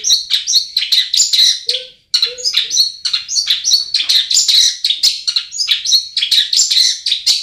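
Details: Long-tailed shrike singing, recorded to stimulate caged birds that rarely sing; long, varied run of squeaky twitters, thin whistles and scratchy phrases, broken by a brief gap, with a few low soft notes.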